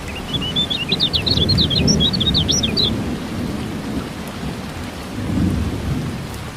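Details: Kecial kuning (white-eye) singing during rain therapy to stimulate quiet birds: a short, three-second burst of quick, high twittering chirps, then only heavy rain and rolling thunder.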